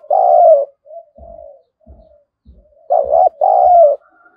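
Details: Spotted dove, a lure bird meant to provoke wild doves to fight, giving loud paired coos at the start and end, softer coos between, with faint low thumps.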